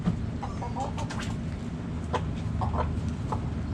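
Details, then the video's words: Backyard chickens: a few faint, short clucks scattered over a steady low rumble, with occasional sharp clicks and taps. "Backyard Chickens Relaxing Sounds Noises Video Hens Clucking Roosters Crowing!"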